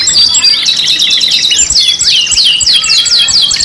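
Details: Canary pancingan (lure) song from a 5-in-1 mix: dense, rapid high warbling with quick rising and falling whistled notes and fast trills, continuous throughout.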